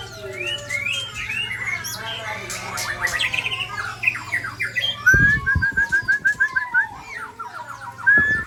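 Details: White-rumped shama of the Balak Sabang type from Aceh, under attack by shamas from Ujong Pancu and Tangse: tangled overlapping chattering phrases, then a clear run of evenly repeated whistled notes and a final rising whistle, with a steady low hum.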